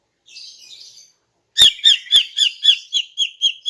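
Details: Soft buzzy chatter, then a rapid series of about ten bright, evenly spaced chirps from a female greater green leafbird singing in the morning to lure males.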